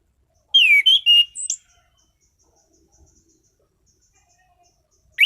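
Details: Caged orange-headed thrush gives one loud phrase of slurred whistles and a high sharp note, then near silence with faint soft ticks, and the start of another phrase at the end.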